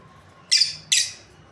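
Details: Two loud, scratchy high chirps about 0.4 seconds apart from a breeding pair of lovebirds, over a low hum.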